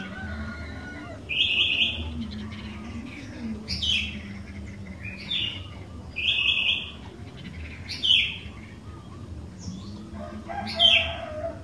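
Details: Active sooty-headed bulbul song serving as a lure for other bulbuls: a series of short, bubbly whistled phrases every one to two seconds, varied and chattering, with a steady low hum beneath.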